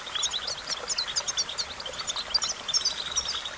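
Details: European goldfinch song for training, a rapid stream of high, tinkling twitters and short chirps over a steady hissing background.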